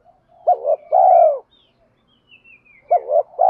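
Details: Spotted dove call, male and female birds, used for training; a double coo and long falling coo, then a thin high whistle-like note in the background, and another double coo starting.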